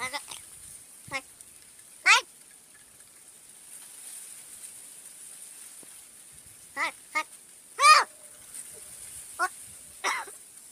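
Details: A talking crow imitating human words, giving scattered harsh nasal syllables and short cries at irregular intervals, some in quick pairs, over a steady high background hiss.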